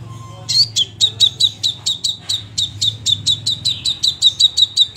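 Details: A lively crimson sunbird delivers a rapid, steady stream of sharp high ticking chips, about four per second, after a brief faint tone at the start; low hum in the background.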